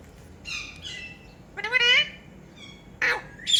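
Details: A Rose-ringed parakeet kept as a talking pet utters scattered squeaky chirps: two brief notes, then a louder wavering harmonic call, and two sharp downslurred squeaks near the end.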